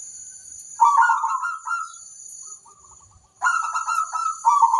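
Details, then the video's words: Local zebra dove singing to lure other zebra doves to reply: a rolling, trilled coo phrase, a pause with faint soft notes, then a second stronger trilled cooing phrase, with a constant high-pitched hum behind. "Perkutut lokal gacor ampuh - untuk pancingan semua burung perkutut"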